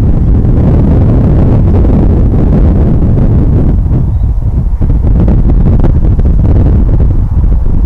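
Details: Strong wind buffets the microphone with a heavy, continuous low rumble throughout, and no animal calls are heard.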